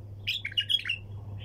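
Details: Bulbul, sayyad-style song: one short, loud phrase of bubbly, slurred whistles rising and falling in quick succession over a faint steady hum.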